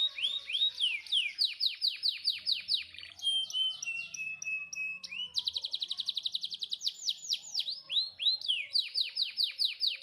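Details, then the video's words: Canary tutor song for training canaries that sing little: a lively, continuous stream of high whistled trills and rapid repeated sweeping notes, changing phrases every second or two, with fast buzzy rattles in between. "Suara Masteran Kenari Gacor Cocok Buat Burung Kenari Yang Susah Bunyi"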